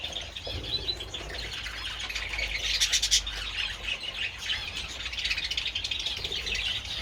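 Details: Sunlit budgies enjoying treats on 27 February: a thick wash of raspy squawks and fast warbled chatter from many birds, with a louder buzzy burst in the middle.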